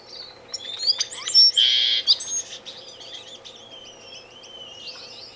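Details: A red-billed firefinch, filmed close up in an indoor non-breeding community aviary in Edmonton, Canada, on 19 February 2015, calls with high, thin chirps and a buzzy trill, then a long wavering whistle, in quick irregular bursts.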